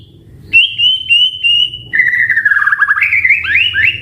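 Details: White-rumped shama singing a long steady whistled note, then a lower wavering warble that jumps back up into rising slurred phrases; faint low hum in the background.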